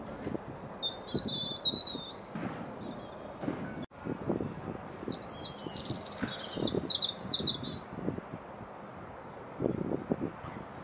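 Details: Robin singing across a field to another bird: thin, high, twittering phrases, first a short warbled run, then a louder tangled burst of fast sweet notes midway, over low dull thumps and rustling outdoor noise.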